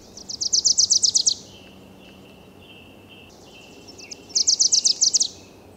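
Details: Wilson's Warbler singing from the mid-canopy of mixed forest in the Coast Range foothills in spring; a rapid staccato series of about nine sharp chips, repeated after a three-second pause, with a thin steady buzz from another bird between.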